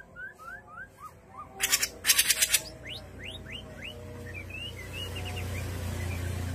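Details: Grey-cheeked bulbul master song for training caged birds: a series of short rising whistled notes, then fast-climbing slurred whistles, interrupted by loud rattling scratchy bursts, low hum beneath.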